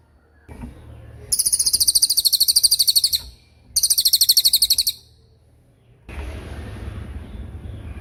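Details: Cililin in tembakan style, recorded for training songbirds: two long, piercing, high trills of fast, regular pulses separated by a short gap, then a stretch of broad rustling noise.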